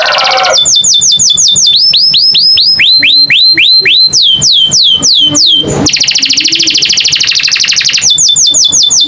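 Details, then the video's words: American canary song in loud, clear tours of rapidly repeated high, downward-swept whistled notes, shifting from one repeated phrase to the next, with a short harsh buzzy burst partway through before the sweeping notes resume. "the beautiful sound of the American canary"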